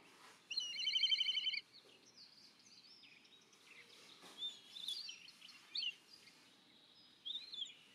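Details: Black kite giving its begging call: a loud, trembling trill of about a second, followed by scattered twittering and squeaky calls of other birds over steady background noise.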